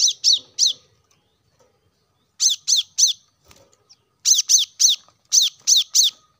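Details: Plain-throated sunbird song meant to prompt caged birds into singing: clusters of three sharp, falling, high chirps separated by silent gaps, ending with a longer run of six.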